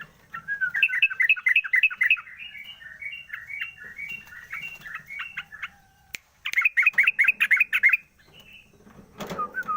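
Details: Caged sooty-headed bulbul singing in the morning once its cage cover is opened, used as a lure recording; loud bursts of quick, bubbly two-part chirps, a pause near six seconds, then another rapid chattering run.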